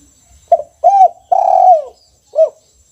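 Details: One full phrase from a caged spotted dove in kuk 1 style: a clipped opening note, an arched coo, a long sustained coo that falls away, then a short final coo.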